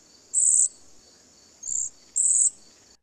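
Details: Cedar Waxwing, a spring migrant in southern Quebec, gives its very quiet song: three very high, thin, whining notes, each under half a second, with a soft hiss between them.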